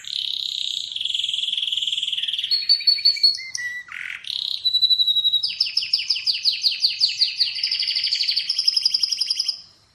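Atlantic canary singing a long, varied song: sustained whistled tones and buzzy trills, shifting to rapid repeated chirping phrases high in pitch, with no other sounds.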